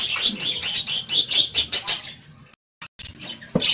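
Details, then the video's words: Pet parakeets tweet in a quick string of about ten bright, buzzy chirps over two seconds, then fall quiet briefly before one more sharp note. "PARAKEETS (Listening To Their Tweets)"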